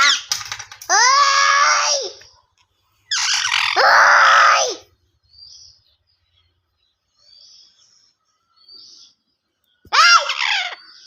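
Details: Angry pet parrot, filmed live while talking: loud, harsh, drawn-out squawks in three bursts, with faint short chirps in the quiet gaps between them.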